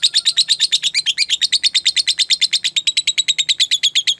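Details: Long ngekek song of a lovebird, recorded as a training lure for caged birds; a fast, rattling run of high chirps repeated evenly, hardly varying over the whole stretch.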